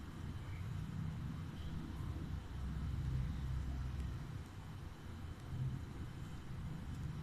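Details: Quiet low rumbling background hum that swells and fades, without any animal sounds.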